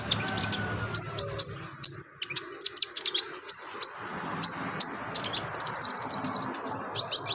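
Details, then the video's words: Olive-backed sunbird in full lively song, unloading its repertoire as a master for other birds: sharp high chips spaced about every half second, building to a fast rattling trill of thin whistled notes near the end. "BURUNG KONIN GACOR LINCAH BONGKAR ISIAN COCOK BUAT MASTERAN"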